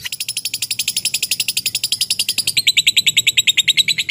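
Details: Lovebird giving a long chattering ngekek: a fast, even train of harsh high-pitched notes, about five per second, continuing without pause throughout, slightly shifting in tone halfway.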